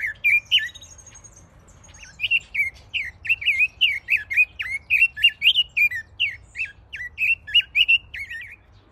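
Red-billed leiothrix singing a rapid, continuous warble of bright, clear notes around two to four kilohertz, after a brief opening phrase and pause.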